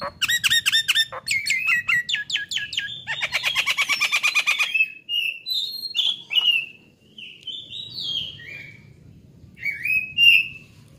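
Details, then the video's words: Nias hill myna kept as a songbird, a training recording: a rapid run of clipped, hooked notes, then a fast rattling burst, followed by loud slurred whistles rising and falling, with pauses between phrases. "MASTERAN AMPUH || Jalak Nias GACOOOR"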